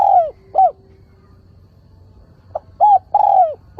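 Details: Decoy spotted dove giving a clean lure call, meant to draw wild males in and provoke them to coo: mellow arched coos, two quick notes, a pause, then a short note and two longer drawn-out coos, with no background noise.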